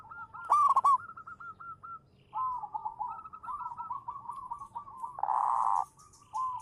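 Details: Zebra dove, local champion lure bird, in manggung song: one loud crackly coo early on, then continuous softer rippling coo phrases. A brief rougher burst comes near the end.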